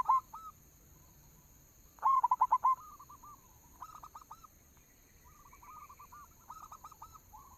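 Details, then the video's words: Zebra dove of a local strain used as a lure song: a loud burst of rapid, staccato coo notes around two seconds in, with fainter repeated coo phrases from other doves before and after, over a steady high hiss. "suara pancingan perkutut lokal"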